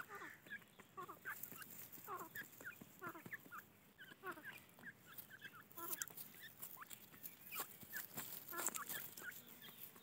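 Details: A crowd of farmed grey francolin chicks peeps busily, with short, bright overlapping chirps and cheeps from several birds at once and faint clicks and rustles beneath.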